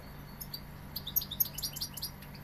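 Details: Brief fragment of Sevillian goldfinch song: a few sharp high chirps and quick twittered notes in a short cluster, with a low steady hum behind.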